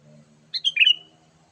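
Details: Sooty-headed bulbul call for luring wild birds, in a lively 'gacor' style: a single rapid bubbly phrase of chirps ending in a drawn-out whistle, over a steady low hum.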